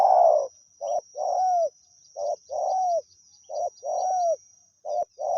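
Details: Wild spotted dove answering a decoy in a quick series of cooing phrases: short hoots and longer, buzzy, arched coos alternate rapidly. A steady high whine runs throughout.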